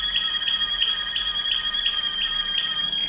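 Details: Waterslager Malinois canary from Serbia holding a steady pure whistled tone, pulsed about three times per second in an even, bell-like roll.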